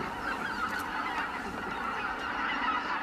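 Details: Dense chorus of greater white-fronted geese at roost departure, continuous overlapping honking with no single bird standing apart.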